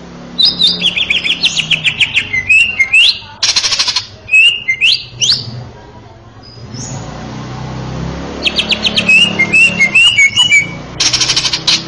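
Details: Male greater green leafbird used as a master song for tutoring young birds: bursts of quick chirps, buzzy rattles and upslurred whistles, pausing midway, with low background rumble, possibly traffic.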